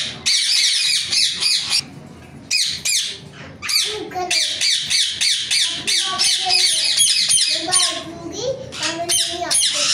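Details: Ringneck parrot screeching in repeated harsh, high bursts, with short pauses between runs; lower tonal sounds run underneath in the middle section.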